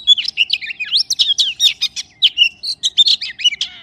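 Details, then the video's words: Rapid, lively magpie song: tight series of sweet whistled notes and sliding chirps, jumping between high and lower pitches with almost no gaps. "Good sound of magpie"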